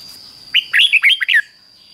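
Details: Caged Red-whiskered bulbul's fik-jik-fok doubled song, meant as a daily lesson for young birds. One short burst of six chirpy, slurred whistles packed into under a second, backed by a constant thin high-pitched tone.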